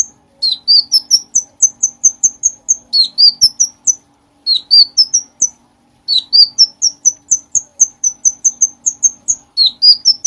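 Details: Songbird-training recording of a bulbul: phrases that open with a dipping note and climb into rapid high chirps, each phrase roughly two to three seconds long and separated by short gaps.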